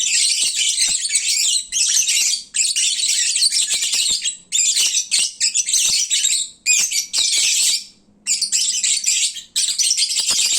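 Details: Noisy lovebirds at midday after feeding, drowsy and at their loudest: bursts of shrill, overlapping chirping and squeaking lasting one to two seconds, broken by short silent gaps.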